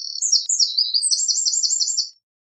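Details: Fragment of Eurasian wren song: high, sweeping notes running into a fast, even, rattling trill for about two seconds before stopping abruptly.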